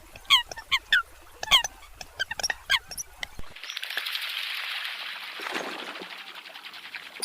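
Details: Eurasian coot giving short, sharp harmonic calls repeated irregularly for about three seconds, then drowned by a loud, steady broadband rushing noise for the rest.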